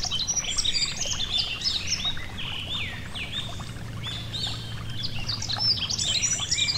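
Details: Yellow-throated bunting by a gentle stream, singing a continuous tumble of high chirps, buzzy notes and downward-slurred whistles, with a low hum of flowing water and a brief low drone midway.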